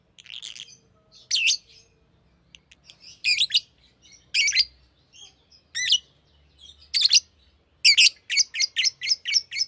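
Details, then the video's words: Green lovebird chattering with irregular harsh, high chirps and squeaks, closing with a fast series of evenly spaced sharp notes. "Green Lovebird Chirping Sound"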